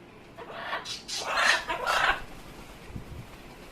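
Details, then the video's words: Pet Amazon parrot making funny noises: a quick run of rough, gurgling squawky syllables packed into about two seconds, then quieter. "Hecko is making funny noises."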